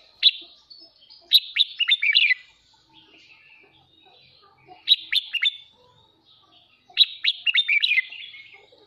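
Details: Pet red-whiskered bulbul giving a kích bổi morning song meant to train its voice: three energetic phrases of rapid, falling chirps about two and a half seconds apart, with soft fainter notes between.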